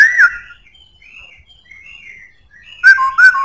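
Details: Black-throated laughingthrush with a strong voice: a loud whistle opens, soft thin warbling follows, then two rich, looping whistled phrases close the passage.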